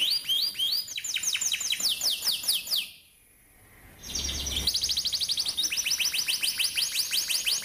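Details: Atlantic canary rolling song used to train young birds: fast repeated sweeping chirps, a one-second pause, then renewed dense trilled runs of high notes.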